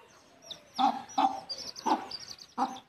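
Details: Mother hen leading her chicks back to the nest to roost, giving short low clucks in a run of four, spaced about half a second apart, with thin high peeping chicks behind.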